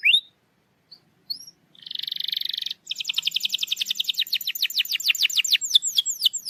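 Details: Canary singing, used to coax a reluctant canary to sing: a few sparse upslurred chips, a buzzy rattling trill, then a long run of rapid descending whistled notes repeated many times per second.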